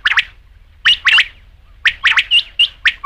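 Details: Rain quail call: clipped double and triple notes, bright and rasping, repeated roughly every second in an uneven rhythm against a silent background.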